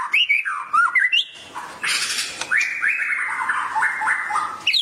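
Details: Murai stirred into vigorous song by a tutor recording: curving whistled notes, then a burst of harsh broadband noise, followed by a run of repeated descending whistles.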